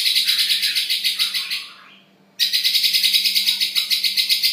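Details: White-rumped shama in song, a fast buzzy high trill pulsing about three times a second, a short pause, then the trill resumes; a faint steady low hum underneath.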